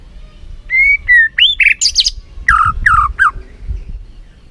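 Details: White-rumped shama lure song used to excite a bird into singing: clear drawn-out whistles leading into a quick sequence of varied slurred and buzzy notes, some rising sharply, over low background noise.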